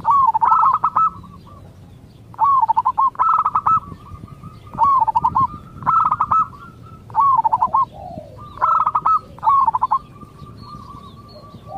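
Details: Local zebra dove cooing, the song used to get other zebra doves to answer: staccato rolling coo phrases repeated about every one to two seconds, with quieter background noise between phrases.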